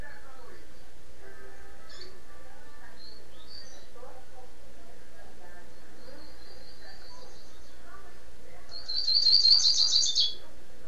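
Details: Rusty-collared seedeater recorded in Niterói, Rio de Janeiro, tirano song style: a few faint, scattered high notes, then a short, fast, buzzy trill of chattering notes near the end.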